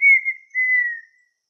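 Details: Red-winged tinamou song: two clear, steady whistles near the same pitch, the second long and gently falling, then fading out. The background is otherwise silent.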